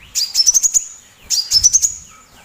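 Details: Sunbird (kolibri) with a strong voice, used as a master sound to get other birds such as the magpie-robin singing. Two bursts of fast, very high, rising twittering notes, each about six to seven notes long.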